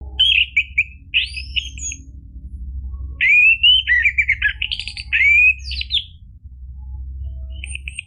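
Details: Orange-headed thrush in loud, continuous gacor ngeplong style, used as a lure so silent caged birds answer and sing: bright whistled phrases with rising slurs and buzzy trills, broken by short pauses, over a steady low hum.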